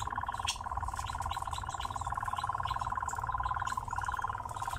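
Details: Nightjar kept in captivity sings as it dances, giving an unbroken, rapid, even churring trill at a constant mid pitch throughout, over a low background rumble.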